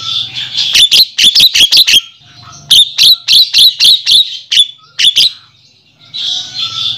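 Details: Javan myna calls used as a lure for males: quick runs of harsh, clicking chack notes, about five or six a second, between bursts of scratchy, wheezy chatter.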